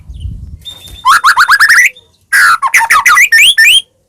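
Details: Caged white-rumped shama in full song, used to spur another shama to sing: a soft low rustle, then a fast string of rising whistles, a pause, and a second burst of varied upward-sweeping whistled notes.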